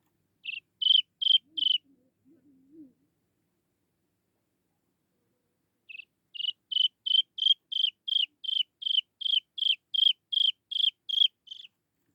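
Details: Chinese francolin chick luring its mother with high peeping calls: three notes, a soft low wavering sound, a pause of several seconds, then a long even run of about fifteen downslurred peeps.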